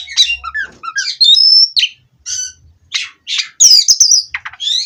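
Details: Captive Oriental magpie-robin singing in separate bursts: a descending series of chirps, a long pure whistle, then scratchy notes and bright sweeping whistles with silent pauses between them.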